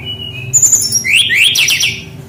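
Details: Brown-chested jungle flycatcher singing actively with rolling phrases, used as a lure to train young, not-yet-singing birds: a thin steady whistle, then a rush of high trills and rising, falling sweeps, over a faint low hum.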